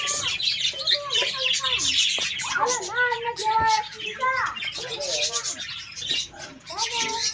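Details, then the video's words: Australian parrot colony calling: clear whistled and warbled notes that rise and dip, overlapping with chattering squawks in the background. "Australian Parrots Colony"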